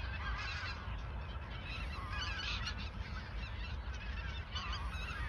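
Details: Geese gathered in the Ochsenmoor nature reserve in autumn 2022, a few days before flying south, call in a thick chorus of wavering, overlapping honks, with a rumble in the background.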